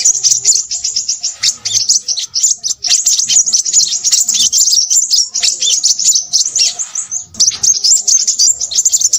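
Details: Fast, shrill twittering from a Crimson sunbird, described as noisy: sharp high chips run together into continuous trills, with brief dips in volume, near and clear.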